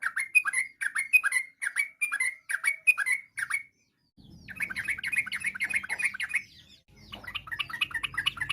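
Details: Yellow-vented bulbul in varied song meant to make other bulbuls respond; a series of evenly spaced downslurred chirps, then a dense, fast rolling chatter of bright notes.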